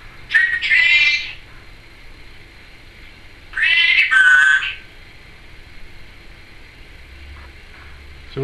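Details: Timneh African grey parrot kept as a pet, mimicking words such as trick or treat: two separate gravelly speech-like utterances about three seconds apart, each roughly a second long, with quiet room noise between them.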